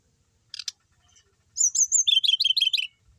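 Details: Pet brown-chested jungle flycatcher that reliably keeps singing, producing a brief high whistled phrase that runs straight into a rapid series of about ten bouncing, slurred trill notes after a couple of faint clicks.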